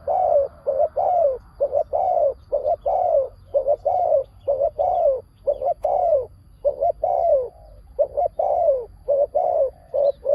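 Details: Decoy spotted dove calling to draw in wild doves: a nearly continuous run of strong coos, each note slurring downward, about one per second with brief gaps, clean background.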